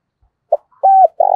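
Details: Decoy spotted dove used to stir other doves into cooing: a short low coo, a pause, a longer even coo, then the start of a rolling, burred note.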